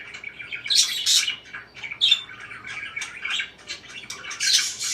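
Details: Parakeets chattering with bright, harsh chirps and squeaks, two loud bursts early on, then steady overlapping twitters and a final louder scratchy call.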